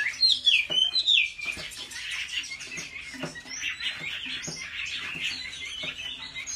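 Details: Chinese hwamei training at home for contest singing. Two loud, sharp whistled phrases open the recording, then a busy, scratchy chatter continues among clicking noises.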